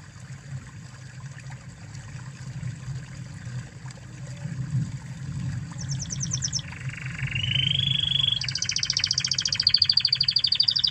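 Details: Spanish Timbrado canary from Spain in a training recording for other canaries. A noisy, hissing start gives way to a short pulsed series, a rising whistled trill, and then loud fast high rolls.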